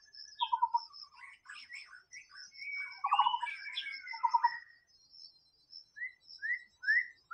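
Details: Wild white-rumped shama song: scattered pulsed rattles and varied chattering phrases, then three clear rising whistles near the end. A steady high-pitched background tone persists.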